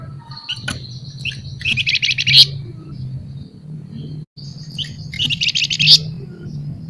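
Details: Caged scaly-breasted munia in full chattering voice: two phrases, each a thin high whistle running into a loud buzzy rattle of rapid notes, over a constant low hum.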